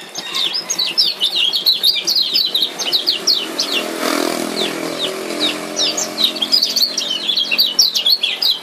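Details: Male lemon-bellied white-eye from Lombok giving fast 'ciak ciak' chirps, used as a lure to restart a silent bird: dense, sharp high notes rattle on nonstop, with a brief rushing noise swelling near the middle.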